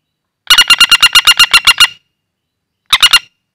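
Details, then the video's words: Wild common flameback, a lure call for trapping birds: a fast dry rattle of about ten sharp, evenly spaced notes, then a short three-note burst after a pause. No other sounds. "Suara Burung Pelatuk Bawang Liar Cocok Buat Pikat"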